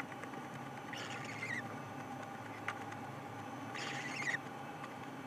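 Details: Owlet perched in a nest box doorway at 12:50 pm on 1 April 2020, calling after spotting something while its siblings inside stop to listen: two drawn-out, hissing, raspy screeches about three seconds apart, over steady camera background noise.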